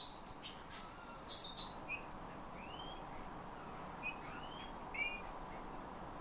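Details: Eurasian bullfinch trained by its owner to sing, copying the owner's whistling and also taking phrases from nightingales and thrushes; clear, thin whistled notes sliding upward, given singly with pauses between, plus a few brief high chirps over a steady background hiss.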